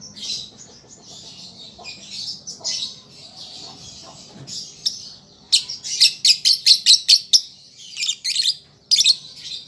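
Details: A young lovebird learns its song, played to coax birds into responding. Soft buzzy chatter comes first, then a fast run of loud, sharp chirps, about two per second, followed by scattered squeaks.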